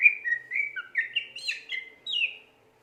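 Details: Greater green leafbird, a gacor (persistently singing) cucak ijo, gives a run of clear whistled notes that slur up and down, some sliding, ending with a higher falling phrase.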